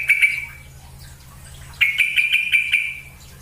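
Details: Sooty-headed bulbul lure call used to make another bulbul sing and become tame: two bubbly, chattering phrases of rapid notes, the second longer and rippling, with a faint low hum beneath.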